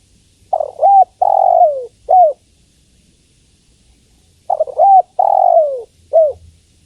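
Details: Female spotted dove calling for a male, giving two cooing phrases about four seconds apart, each a stuttered start, a drawn-out descending coo and a brief closing note.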